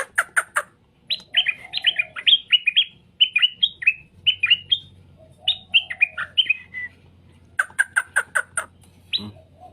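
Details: Straw-headed bulbul song meant to draw replies: bursts of fast, gurgling warbled phrases separated by short pauses. Harsh chattering chirps from other birds sound at the start and end, with a low steady hum.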